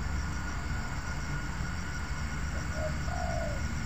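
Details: A single spotted dove coo phrase, a short note leading into a longer mellow coo, heard near the end against steady low-frequency rumble in an oil palm plantation during bird luring.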